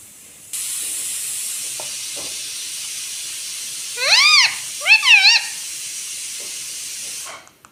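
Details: Pet green rose-ringed parakeet talking: two short phrases of loud, nasal syllables that arch up and down in pitch, the second a quick double-wave, over a constant background hiss.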